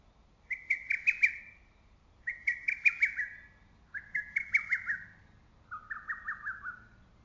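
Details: Lesser cuckoo in early-summer woodland, calling loudly enough to echo through valley and forest: four hurried whistled phrases of five or six staccato notes, repeated about every one and a half seconds, the last phrase pitched lower.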